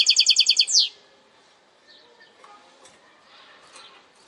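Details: Goldfinch hybrid singing a segment of its song: a fast run of about eight bright, ringing notes repeated evenly over under a second, then faint twittering and soft background sounds.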